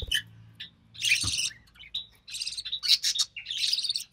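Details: Budgerigar chick, hatched early June 2020, one surviving of three from a White Recessive Pied male and Albino Red Eye female, being fed by its mother: scratchy, buzzy chirps in irregular bursts, thin higher notes between, faint low hum.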